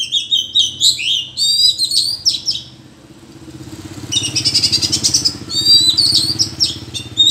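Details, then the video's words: Wild Oriental magpie-robin in a forest, singing in a duel against rivals: bursts of rich, varied whistles and rapid buzzy trills, a brief lull midway, then more vigorous phrases, over a steady low hum. "chòe than hót đấu giọng rừng hay và căng lủa đến vậy"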